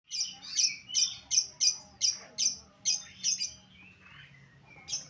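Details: Lovebird giving a series of shrill, high-pitched chirps, about ten sharp notes repeated roughly every third of a second, ending in softer twittering and a final squeak.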